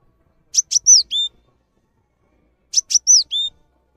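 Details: Cinereous tit used as a tutor song for training songbirds: two short phrases about two seconds apart, each two sharp clicky notes followed by a descending slurred whistle and a lower flat whistle.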